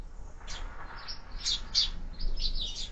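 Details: Sparrows calling at a feeder: short, high chirps and twitters that come in quick clusters over steady low background noise.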